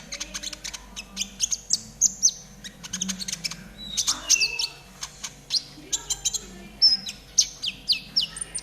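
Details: Konin singing in trotol style, recorded as training audio so caged birds quickly start singing: rapid high, thin chirps and short whistles, some sliding down, coming in quick bursts with brief pauses, over a faint low hum.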